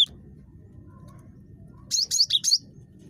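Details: Cinereous tit (gelatik batu), noted as very chatty and used to coax other birds to call: after near silence, a quick set of four high, sharp whistled notes, with steady low hum throughout.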